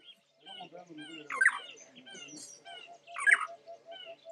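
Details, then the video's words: Spotted morning-thrush (spotted palm-thrush) at Lake Baringo, Kenya, in January, singing a rich, varied run of short whistled phrases with louder bursts roughly every two seconds over a low murmur. "Spotted Palm-thrush"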